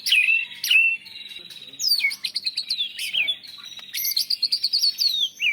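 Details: White-rumped shama of national champion quality singing for training other birds, its repertoire filled with imitations of Cilalilin, canary and lovebird; loud, clear whistled phrases, dropping slurs and rapid trilled bursts broken by brief quieter pauses.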